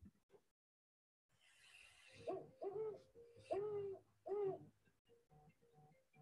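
A Great Horned Owl gives a series of four or five deep, soft hoots in a stuttering rhythm, like 'who's asleep, me too', with faint room noise.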